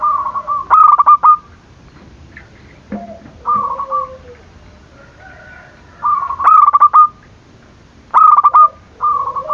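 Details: Zebra dove cooing to stir rivals into calling; stuttering trilled coos repeat roughly every two seconds, with a softer dove answering between them.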